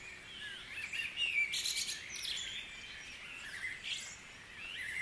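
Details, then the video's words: Morning chorus of mixed birds at Guisborough, overlapping thin whistles and chattering chirps, peaking in a loud rapid flurry early on before settling into softer calls. "Dawn Chorus"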